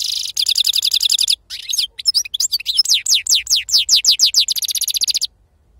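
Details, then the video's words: European goldfinch, wild-caught, in authentic serfati song: a continuous phrase opening with a fast buzzy trill, then liquid downslurred whistles repeated several times a second, ending in another rapid rattle. "أفضل تغريد بندوق حسون خلوي أصيل"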